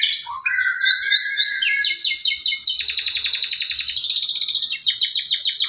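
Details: Male canary lure song for silent canaries: a rising whistled phrase, then steady rapid trills stepping between pitches, ending in a bright repeated roll.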